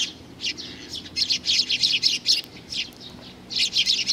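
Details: Small sparrow chick, June 2019: clusters of high squeaky chirps, a quick run, a short gap, then another burst of rapid notes at the close.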